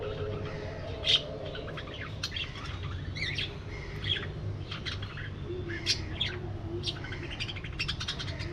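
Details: Many budgerigars in an aviary, flying and interacting, give a scattered chorus of short, sharp chirps and squawks, with louder bursts near one, four and six seconds over a low steady rumble.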